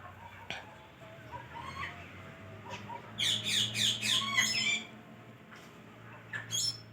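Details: Pet parrot talking in a small room: low household noise at first, then a loud cluster of rapid harsh syllables in the middle, with a short squawky burst near the end.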